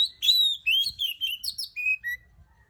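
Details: Oriental magpie-robin, called kacer, singing calmly in the morning: a quick sequence of bright whistled notes sliding downward, finishing with two lower drawn-out whistles.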